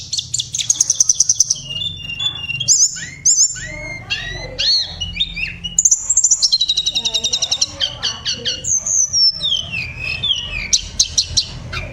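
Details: Tledekan songbird, a prized 'vocal teacher' bird, singing a rich varied song: fast high trills, sharp rising and falling whistled notes, and rapid stuttering chip series, over a steady low hum.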